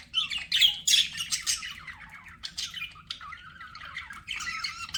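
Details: Pet budgerigars chirping, meant to calm lonely birds: busy warbling chatter of squawks and fast chirps with bright buzzy bursts, louder at the start, softer trills in the middle, then renewed chatter near the end.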